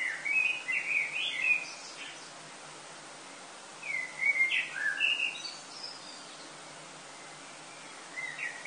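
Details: Blackbird song in the pre-dawn dark of an August summer morning in Lille, France: mellow whistled phrases ending in thin squeaky flourishes, delivered in bursts separated by pauses of two to three seconds, with faint distant hum.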